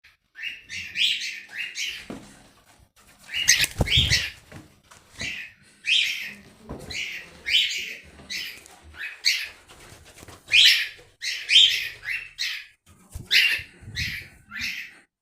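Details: Cockatiel; contact call; calling for a lost companion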